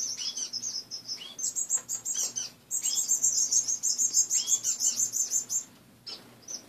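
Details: Morning chatter from pet finches kept in a cage stripped of most perches; fast high chirps strung into quick repeated runs, about three per second, with a low electrical hum.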